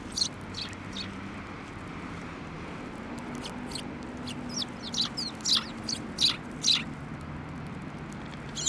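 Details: Several sparrows gathering on a bench at a shrine for food in mid-December: short, sharp chirps coming faster and louder toward the end, over a constant low background rumble.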